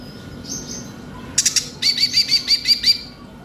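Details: Konin, a Crimson Sunbird, singing in a lure recording meant to get young birds singing: a faint high whistle, then a sharp chirp burst and a run of six or seven quick, bright repeated notes.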